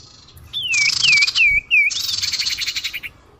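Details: Lure recording of the common iora to attract birds: four falling, hooked whistles in quick succession over a loud buzzy rattle that continues and fades out.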